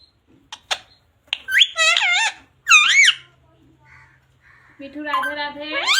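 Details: Pet parrot talking, repeating words such as "mummy papa" and "radhe radhe" indoors: a few sharp clicks, then three harsh, wavering, voice-like bursts that rise and fall, the last one climbing in pitch.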